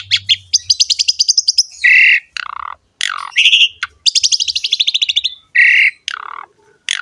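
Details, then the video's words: Javan pied starling singing energetically in the ngerek style, a recording for tutoring and prompting other starlings: rapid buzzy rattling trills, harsh nasal bursts and a dropping whistled note, delivered in quick separate phrases with brief pauses. "BURUNG JALAK SUREN GACOR NGEREK ISTIMEWA"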